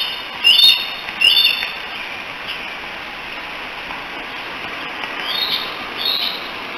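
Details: Bald eaglets, three siblings on the Decorah nest camera in mid-July 2018, calling likely for their mother: two loud, sharp whistled squeals close together, then a pause and two fainter high chirps, with constant hissing noise behind.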